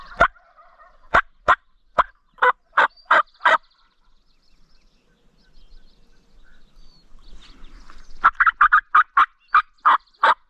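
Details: Wild male turkeys gobbling on a spring morning in Nebraska during a hunt: rapid series of sharp, rattling gobble bursts, about eight in the first few seconds, then a quiet pause and another fast cluster of a dozen.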